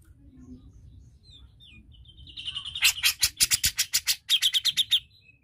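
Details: Grey-cheeked bulbul (cucak jenggot) song, played to stimulate a reluctant bird to sing. Faint thin whistles lead into about three seconds of rapid, harsh, chattering notes in quick bursts, over a low steady background hum.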